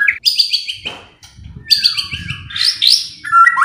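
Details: White-rumped shama singing to provoke other birds into song: bright high whistled trills and a falling slur, with faint low rustling between phrases.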